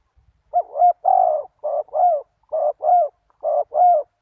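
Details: Cooing spotted dove used as a lure for wild doves: eight low coos in four evenly spaced pairs over four seconds, each pair a short note followed by a longer arching one.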